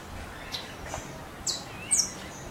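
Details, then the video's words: Saffron finch singing free in the wild. Its song is described as strong and crackling. Here it gives sharp, very high, clipped notes spaced roughly half a second apart, against faint background hiss and distant soft chirps. "CANÁRIO DA TERRA CANTANDO SOLTO"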